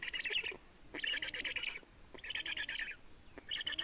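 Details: Black storks at a nest in Estonia, 30 May 2019, mid-afternoon, during a changeover and feeding; harsh, rasping pulsed bursts under a second long, four in quick succession with short gaps, no other clear sounds.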